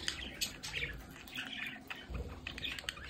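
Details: Captive budgerigars at home near a window give short bursts of chirps and squawks over a low background rumble.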